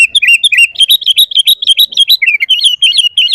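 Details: Gacor full isian song of a sooty-headed bulbul, played to train and lure other kutilang: an unbroken, fast chatter of bright, bouncing chirps, roughly three notes a second, dipping lower midway before climbing again.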